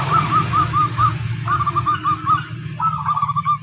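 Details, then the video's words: Local zebra dove in lively song: evenly spaced, clipped coo notes delivered in three quick runs of five or six, against a constant low rumble and hiss. "suara sang masteran burung perkutut crosing"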